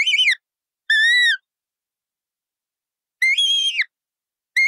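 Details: Colourful parrot making a series of loud screeching calls, some steady and level, others wavering, spaced irregularly with quiet gaps and no background noise.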